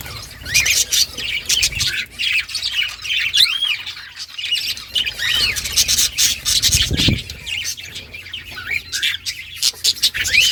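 Budgerigars warble continuously, mixing rapid chirps, squawks and short rising whistles.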